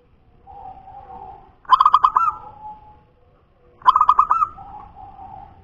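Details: Perkutut punden, a wild local zebra dove: two rapid rolling phrases of five or six coo notes, each ending in a smooth drawn-out tone, with softer humming notes before and after.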